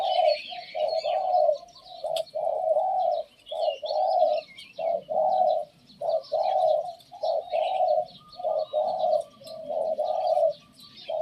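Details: Cooing decoy Spotted Dove: repeated low, mellow, slightly rough coos run in quick groups, about fifty notes a minute, separated by short silences. Small birds chirp faintly and continuously in the background.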